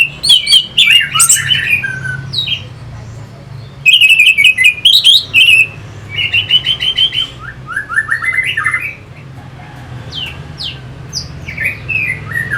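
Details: Orange-headed thrush song played to rouse fighting birds: rich, varied phrases of sharp clicks, trills and slurred whistles in repeated bursts, pauses between, a quieter run of descending notes near the end, low background hum.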